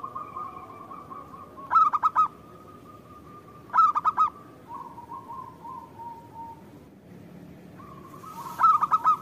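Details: Local zebra dove singing in response to a lure recording: three separate phrases of fast pulsed cooing spaced a few seconds apart, with faint softer coos and a steady hum in between.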